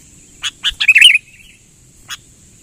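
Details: Short burst of sooty-headed bulbul lure call, persistent style: a few quick clipped chirps leading into a liquid, warbled phrase that trails off, then one last sharp note after a pause.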